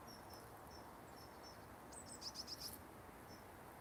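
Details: Wild coal tits in a garden, fed there and tolerant of people close by, one at a treetop: thin, very high calls, scattered faint notes, then a quick run of four short chirps, over a steady background hiss.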